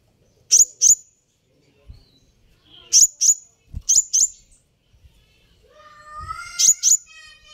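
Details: Sunbird provoking call of piercing high paired notes in quick bursts, followed near the end by a lower, warbling phrase from another bird.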